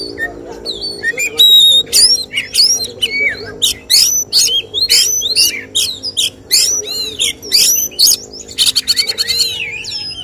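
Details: Singing Oriental magpie-robin during a bird-song contest, its 'tembakan' shots pouring out as a ten-second stream of rapid, varied whistles, chips and harsh bursts, ending in a fast buzzy rattle, with a humming background.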